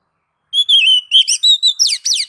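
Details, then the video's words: Oriental magpie-robin (kacer) in the ngeplong singing style, used as base training song to prompt other kacer to sing. A clear, slightly wavering whistle, then a quick string of varied, rising and falling high whistled notes, all clean without background sound. "MASTER DASAR KACER NGEPLONG MEMANCING KACER AGAR CEPAT BUNYI GACOR Birds Song Kacer"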